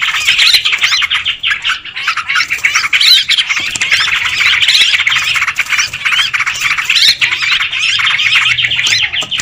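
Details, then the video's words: Yellow-vented bulbuls in a noisy, busy lure recording used to attract birds: a dense, unbroken chorus of overlapping harsh squawks and bubbly chattering notes from several birds, with quick warbled phrases and no pauses throughout. "Suara pikat trucukan ribut"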